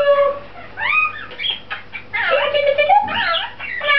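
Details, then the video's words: A pet lorikeet says hello, missing its owner who is overseas: raspy, voice-like speech imitation with quick rising and falling syllables over four seconds. "lorikeet saying hello"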